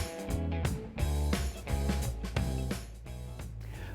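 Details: Quiet strummed guitar music with a low bass line and no animal calls.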